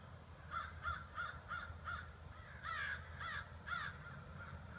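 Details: Crows among some 30 to 40 gathering in trees in front of a house in the evening, giving a series of about eight harsh caws, five evenly spaced then three louder ones, over steady low background rumble.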